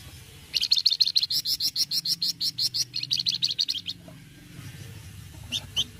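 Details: Gacor Flamboyan, an untrained bird chattering as a singing lure, gives a long run of rapid, evenly repeated high chirps lasting about three and a half seconds, then two isolated notes after a pause.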